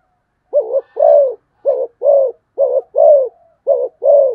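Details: Spotted dove's fast coo series: four quick pairs of a short coo then a longer rounded coo, clean and close.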